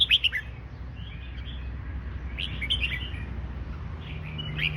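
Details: Fancy-style song of a red-whiskered bulbul: short, lively, warbled whistle phrases come at the start, in the middle and at the end, with a constant low hum underneath.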